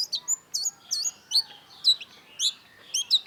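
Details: Lively long-tailed shrike song used to tutor caged songbirds: rapid twisting high notes, some hooked and warbled, about two per second in an uneven, chattering sequence.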